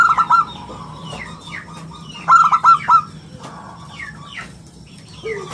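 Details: Local zebra dove singing in the prized crisp 'round crystal' voice used as a lure and tutor for other birds: two bursts of quick, clipped hooting notes, with fainter chirps of other birds and a low hum between.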